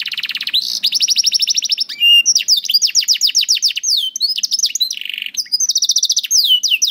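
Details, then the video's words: Canary song used to stimulate young canaries and reluctant singers: continuous varied phrases of fast rolling trills, sharp descending sweeps and short buzzy segments, loud and unbroken throughout. "MASTERAN KENARI AMPUH UNTUK KENARI PAUD DAN SUSAH BUNYI"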